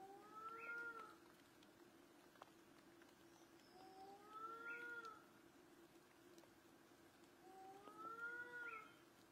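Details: Blyth's tragopan, a vulnerable pheasant, recorded in Bhutan. Three drawn-out, rising, moaning wails with rich overtones, each about a second long and spaced roughly four seconds apart, over a steady low hum and faint background hiss.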